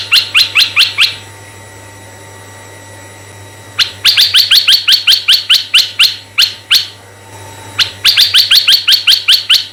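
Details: Red-eyed bulbul singing vigorously, recorded as a lure for other bulbuls: bursts of rapid, bright chirped notes, repeated in runs of five to a dozen with short gaps, with a constant faint low hum behind.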